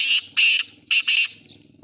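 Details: Black francolin calling in Sindh, Pakistan: four loud, harsh, grating notes delivered in two close pairs, with a short gap between the pairs, over a quiet background.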